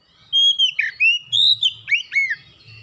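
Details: Oriental magpie-robin song played to coax other birds into singing: continuous chain of rich whistles, slurred dips and rising notes, fairly loud, with a soft low hum in the background.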